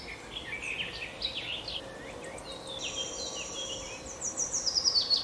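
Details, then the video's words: Chirping of birds with varied whistled slides and scratchy notes, followed by long thin high tones and a rapid stuttering trill near the end, against a steady faint background hum. "Beautiful Bird chirping sound"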